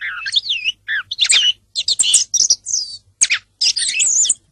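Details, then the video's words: A song thrush sings a rapid run of loud, varied phrases: fluid whistles mixed with sharp, scratchy notes, in short bursts with brief pauses between them. "song of the thrush (canto del tordo bottaccio)"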